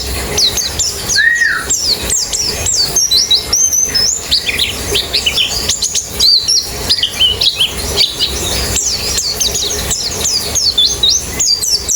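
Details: Busy chorus of white-eyes used to coax a white-eye into singing fast with its beak open; rapid, overlapping high twittering notes and short sweeps, with one lower slurred whistle near the start.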